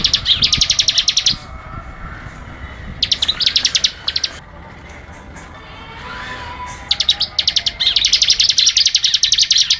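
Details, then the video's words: Bar-winged prinia, locally ciblek, singing vigorously: three bursts of quick buzzy high ticks, each one to two seconds long, with quiet spells between them; recorded as a tutoring track. "masteran suara ciblek gacor"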